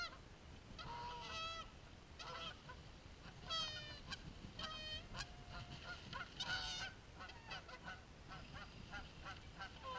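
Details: Fighting geese give loud, harsh, repeated honks with rising and falling tones, several birds calling over one another in bursts throughout, with low background rumble.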